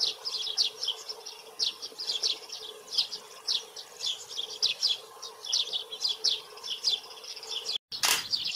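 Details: Steady stream of short, high chirped notes from a Eurasian tree sparrow (Passer montanus), repeated rapidly in loose clusters, ending with a sudden dropout and a loud broadband burst.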